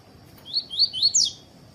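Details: Double-collared seedeater (coleiro) singing in the 'tui-tui' style, played to warm up other birds to sing. A quick run of four clear, slurred whistled notes, the last pitched highest, over a faint steady background hiss.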